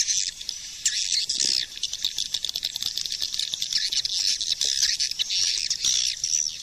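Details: Swiftlet, suara panggil calling sound from 2020: an almost unbroken wash of high, rasping chitter with fluttering pulses throughout and no clear gaps.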